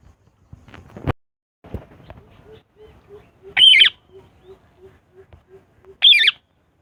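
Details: Parakeet letting out two loud grating screeches about two and a half seconds apart, after some bumping and a voice-like murmur, with a soft low tone pulsing steadily in the background.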